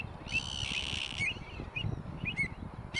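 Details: Greater flamingo at southern Atanasovsko Lake, July 2020, recorded during monthly bird monitoring, giving a nasal, buzzy, drawn-out call of about a second, then several short clipped notes, over a low background rumble.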